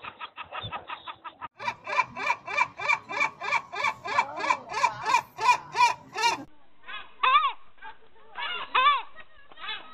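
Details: Gulls laughing loudly and merrily alongside cormorants: a steady run of nasal, harmonic 'ha' notes about three per second, then after a pause a few separate rising-falling cries.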